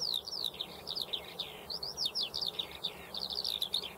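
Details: Eurasian skylark singing a fast, continuous stream of thin, downslurred chirps and quick trills high in pitch, without pause, over a faint steady hiss.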